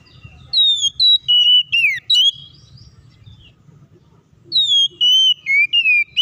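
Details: Lure song of an Oriental magpie-robin, meant to prompt rivals to sing and fight. Two runs of bright whistles, each note falling or level, with a quiet gap of about two seconds between them and low background rumble.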